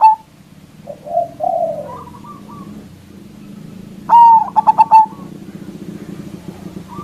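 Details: Loud local zebra dove used as a lure for rival doves: low rough coos and a higher wavering phrase, then a long clear note with four quick notes, over a steady low hum.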